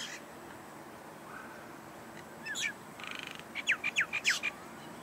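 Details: Several common mynas, not native to Australia, scour a dried section of local wetland, puffing their chests and calling: a burst of sharp, descending chirps and squeaky notes in quick succession near the end, over faint background hiss.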